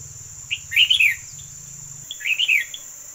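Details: Two short warbled phrases from a yellow decoy bird, each a quick cluster of bright, rising and falling chirps, set against a steady high insect drone.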